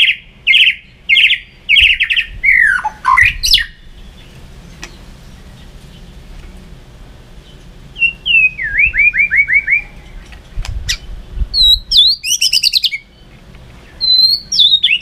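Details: White-rumped shama fighting song for training birds: varied phrases of quick high chirps, a dropping slurred note, a run of rapid descending rolled notes, then sharp upswept whistles, with quiet gaps between.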